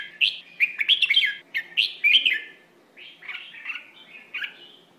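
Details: Red-whiskered bulbul delivering Phleng Roi style song for young birds to learn: a run of loud, chattering, fluty phrases with quick up-and-down slurs, easing into quieter warbled notes after a short pause.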